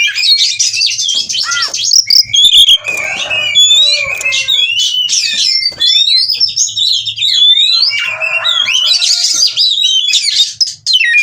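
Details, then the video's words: Breeding-condition oriental magpie-robin in 'ngobra' mode, pouring out shrill sweeping whistles, buzzy rattles and looping notes in a long continuous sequence, with a faint low hum in places. "Kacer Minta Kawin Bongkar Materi Terapi Ampuh Stabilkan Birahi dan Emosi/Kacer Ngobra"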